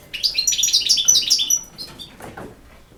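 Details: Brief campero-style phrase from a European goldfinch: fast, tinkling twitters and buzzy chirps tumbling for over a second, then fading into soft scattered clicks.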